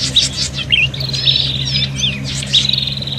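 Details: Excited prinia fighting calls used as a lure: high chips, buzzy rattling phrases and quick squeaky slurs crowding together, repeated in uneven bursts above a faint low hum.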